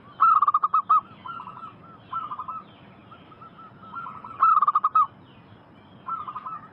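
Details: Lure recording of local zebra doves to draw answers from wild birds: loud rapid staccato phrases of clipped notes repeated every couple of seconds, with quieter doves answering between them.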